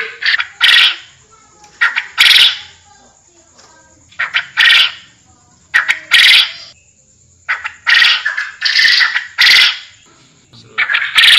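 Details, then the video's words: Repeated harsh, broadband calls of a forest quail, arriving in irregular clusters of one to three loud bursts with brief tonal lead-in notes, and a faint steady electronic-sounding whine underneath. "Suara burung Puyuh hutan"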